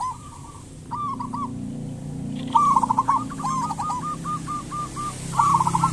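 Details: Local zebra dove singing as a lure to get other zebra doves calling: a few short coos, then a long run of even, repeated soft notes, over a steady low hum.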